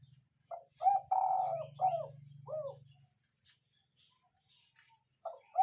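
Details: Lure spotted dove cooing, gáy gù type: a full deep phrase of short note, rising coo, long buzzy coo and two falling coos over a steady low hum, with the start of another phrase at the end.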